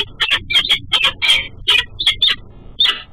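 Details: Peregrine falcon female on her nest ledge, exchanging calls with her mate as he passes in the morning, recorded by a nest cam: grating, scratchy notes in quick uneven bursts, about one every third of a second.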